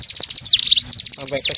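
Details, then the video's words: Singing, dancing mountain bird from East Java kept as a tutor for stone magpies in Kediri Regency, Indonesia: clipped high-pitched chirps repeated quickly, interspersed with slurred falling whistles. "Singing and Dancing Mountain Bird"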